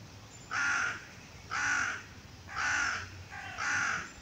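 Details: Hooded crow exchanging calls with other crows, giving four harsh, rasping caws evenly spaced about one second apart, each about half a second long, against a quiet background.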